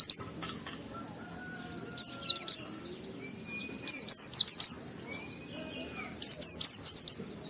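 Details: Oriental white-eye giving short bursts of high rapid twittering notes about every two seconds, intended to stimulate other white-eyes to sing; faint thin whistles from other birds between bursts.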